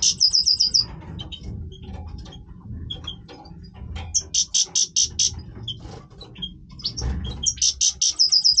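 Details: Goldfinch, Major type, singing its breeding voice: loud, fast trilled bursts of about five to eight buzzy notes, separated by lively twittering and chirps.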